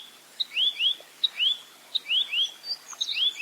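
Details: Velvet-fronted nuthatch giving clear 'full roll tembak' song for tutoring other birds: short sharp ticks each followed by one or two quick rising whistled slurs, repeated steadily over a quiet background with faint extra chirps.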